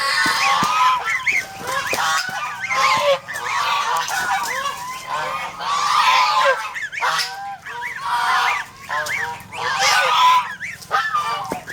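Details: Domestic geese, an over-protective flock kept as poultry and watch animals in the Philippines, honk in a relentless chorus of nasal, rasping calls, many birds overlapping throughout.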